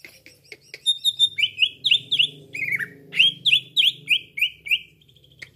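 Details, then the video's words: Cucak ijo (green leafbird) call used to lure others for trapping: clicks and thin high whistles, then a quick series of about fifteen loud, downward-sliding chirps, roughly three per second, over faint low hum. "PIKAT CUCAK IJO LAIN CEPAT RESPON"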